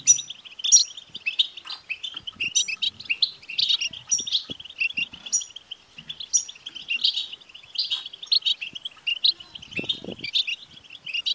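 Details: European goldfinch song used to get a male goldfinch singing: a continuous stream of fast, tinkling twitters and buzzy chirps, high and jumbled, hardly pausing, with faint soft knocks in the background.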